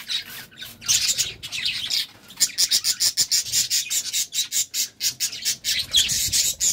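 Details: Courting budgerigars chatter in rapid, clicking pulses of high scratchy notes, several per second, broken by brief pauses and ending in a louder burst of squawks.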